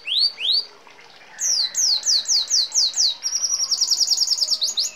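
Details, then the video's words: Red siskin singing, recorded as a training song for caged birds: two rising sweeps, a pause, then a run of descending slurred whistles repeated quickly, ending in a fast high trill. "Red Siskin Gacor Ngeroll Isian Gereja Kolibri Rambatan Kenari ❗️Canto Pintassilgo Venezuelano"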